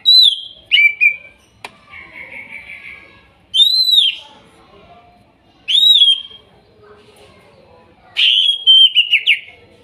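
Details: Greater green leafbird song recorded from Kuningan forest birds, meant to restart a bird that stopped singing: arched whistled notes repeated at intervals of about two seconds, plus a descending slurred phrase and a sharp click.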